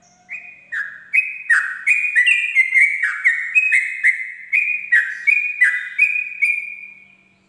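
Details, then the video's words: At dawn a Sooty-headed bulbul sings a long, steady ropel series: bright whistled notes falling in pairs from a higher to a lower step, repeated about two or three times a second for seven seconds, clear and dry. "pancingan trucuk ropel subuh"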